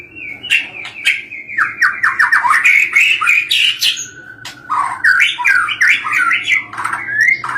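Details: Caged white-rumped shama in full, energetic song: a long run of loud, varied whistles, quick downward-sweeping notes and harsh chattering phrases delivered in rapid succession, with a faint low hum in the background.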